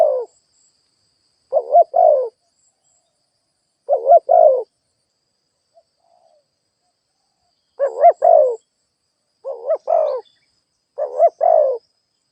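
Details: Spotted dove used as a decoy, cooing to provoke rivals: paired throaty coos, a short note then a longer one, repeated every two seconds or so, with a long quiet gap midway.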